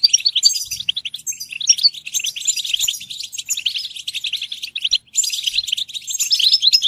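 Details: European goldfinch song for stimulating singing: dense, lively twittering and jangling high trills with quick whistled inflections, nearly unbroken apart from a brief gap, and a few faint knocks in the background.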